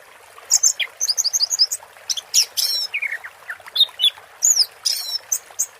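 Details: Water therapy session with an orange-headed thrush singing teler: a quick series of high twittering notes, then buzzy sweeps, lower slurred whistles and sharp rising calls, delivered in uneven bursts.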